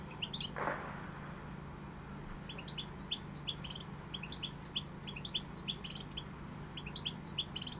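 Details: European goldfinch singing pegada style, a short low noise at the start, then repeated bursts of bright, rising twittered chirps growing steadily louder, steady hum beneath.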